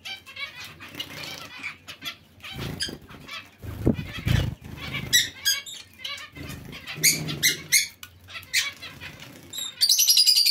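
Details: Colony of zebra finches with other small finches gives clipped nasal calls in quick irregular series, mixed with wing beats and a soft bumping noise.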